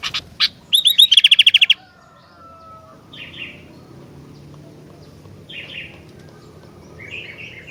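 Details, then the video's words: Sooty-headed bulbul in full song: a couple of sharp notes and then a fast, even trill of about a dozen ringing high pips. Softer buzzy phrases follow after a pause, with faint background hum. "Kicauan Gentilang Gacor"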